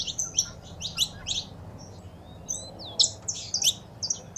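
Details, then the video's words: Saffron finch, female calls with male singing, used to stimulate a kept bird; scattered high chirps, a quiet gap with soft sliding whistles, then louder sharp notes return in quick clusters. "Foguea seu Canário da Terra com Esse Piado de Fêmea e o Macho Cantando"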